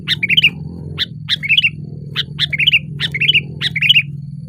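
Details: Sooty-headed bulbul singing loudly on a branch: short bubbly phrases of three or four warbled notes, repeated about once a second over a low steady hum.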